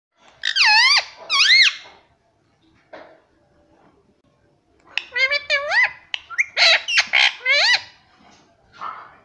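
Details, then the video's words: A pet parrot makes a pair of loud, rich, rising-and-falling calls, then a quiet pause, then a quick run of similar swooping, voice-like notes and sharp clicks. "Parrot voice _ Parrot cute sound"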